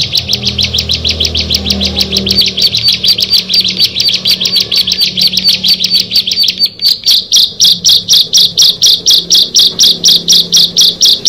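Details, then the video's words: Bar-winged prinia, among six birds, giving a long rapid series of sharp high chips that briefly falters, then resumes as a slower, louder run of clipped notes; faint low hum beneath. "Tetangga Bisa Marah Kalau Ke 6 Burung Ciblek ini Sudah Bertemu"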